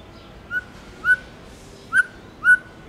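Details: Tame white-rumped shama singing in the "giọng rừng" (forest voice) style: four clear, pure whistled notes at a similar mid pitch, each briefly swelling, spaced roughly half a second apart over faint background hiss.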